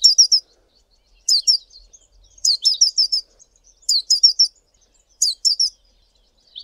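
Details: A male Collared Sunbird gives clusters of rapid, very high, sharp chips, three to five per cluster, spaced roughly a second apart with near silence between.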